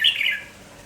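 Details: Morning red-whiskered bulbul, a lively village bird singing tirelessly: one loud, brief warbled phrase that starts high and slides slightly downward, fading out within half a second.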